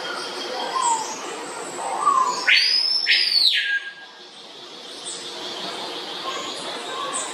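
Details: Swallow Tanager at San Diego Zoo, where a female was processing fruit into her throat-pouch, likely for chicks, gives a loud, sharp double note with high, thin squeaks between, over background chatter of other birds.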